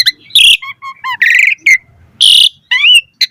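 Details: Short burst of Asian pied starling song used to teach other starlings, with soft whistles, a buzzy trill and two loud harsh rasping notes.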